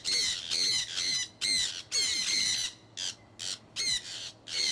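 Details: A pet conure flock out flying in Iowa in early spring 2003 gives strident, grating squawks in quick succession, roughly two calls a second, with short gaps.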